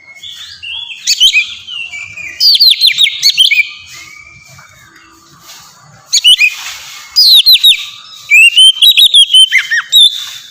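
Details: Oriental magpie-robin (kacer) singing ngeplong-style to spur untrained birds to sing: separate bursts of loud whistles and slurred notes over ten seconds, with quiet gaps and a final rapid chattering run.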